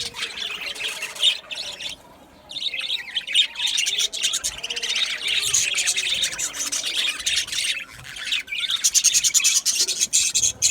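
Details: Budgerigar colony in an aviary, rapid high chirping and rattling chatter after a brief quiet moment, building into dense ticking bursts near the end.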